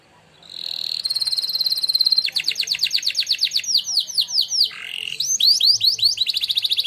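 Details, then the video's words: Contest-winning canary giving a training song: a long steady high whistle, then rapid rolled trills of slurred notes, a brief lower dipping phrase, and bright fast trills to finish. "canary training song"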